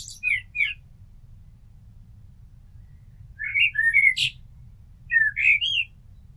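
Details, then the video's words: Common blackbird song: two bursts of fluting, warbled whistled phrases ending in higher squeaky twitters, separated by a pause of about three seconds, over a faint low rumble. "Amsel Gesang - Merle Noir Chant - Blackbird Song - Mirlo Cantando"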